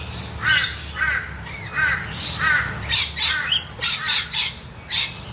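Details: Juvenile Blue-faced Honeyeater with a green face, Brisbane, 4 Dec 2018, with Rainbow Lorikeets and Noisy Miners nearby; during an occasional squabble it gives harsh, squawky calls about every half second, with shrill screeches from other birds and a steady high insect-like hum.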